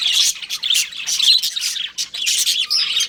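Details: Budgerigars kept as a breeding pair give continuous scratchy warbling chatter, high and busy, broken by brief gaps about every second.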